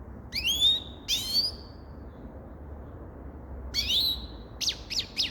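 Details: Grey-crowned goldfinch giving drawn-out slurred whistled notes with long pauses between them, then a few quick sharp chirps at the close.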